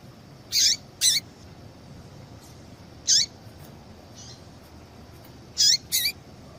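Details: Female yellow-bellied seedeater call, meant to stir a male to sing: paired and single short, high chips with a downward flick, about two dozen per minute, over low background hum.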